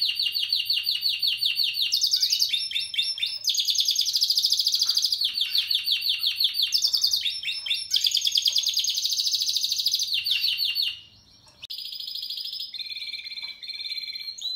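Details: Spanish Timbrado canary from 2017 in a long varied song: dense high rolling trills alternating with sharp clicking tours, a brief pause, then lower, softer steady trills at the close.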